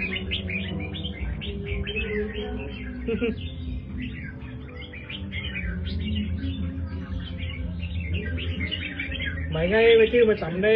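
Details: Caged red-whiskered bulbul, 'Do Thái' line, pours out long stretches of quick chirps and warbles with a short lull midway; background music plays, and a wavering tonal sound swells near the end.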